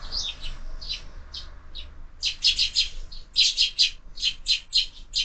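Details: Sparrows gathering at a window feeder for their evening meal; softer scattered chirps at first, then a steady rapid series of sharp chirps about every quarter second, with faint low rumble.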